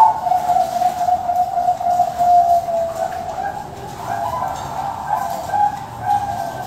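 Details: Captive-bred male zebra dove (perkutut Bangkok) at a Tasikmalaya, West Java bird farm, singing soft vibrating cooing notes, a sustained low trill gently rising and falling in pitch over several seconds.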